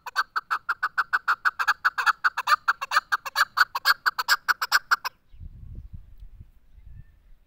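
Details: Chukar partridge giving a fast series of about twenty sharp, clucking notes at a steady quick pace for five seconds, then falling silent, with only a low rumbling noise afterwards.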